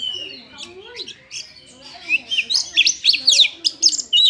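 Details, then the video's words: Oriental magpie-robin of the Hương Sơn type sings a rich, varied run of high whistles breaking into quick, jerky bursts of notes, over a faint low murmur. "giật và giật// giọng bao phê cho ae nghe// chòe than"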